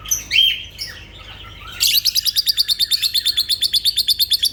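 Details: Lovebirds: a few shrill squeaky notes, then a fast, even series of high chirps about six per second, continuing to the end.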